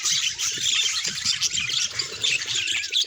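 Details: Budgerigars kept as pets, vocalizing in a group, calls described as emotional signs: rapid, overlapping high chirps and thin squeaky notes form a steady, busy warble.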